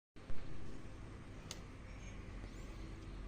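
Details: Steady low rumbling background noise, like a nearby engine or traffic, with a single sharp click partway through and no animal calls.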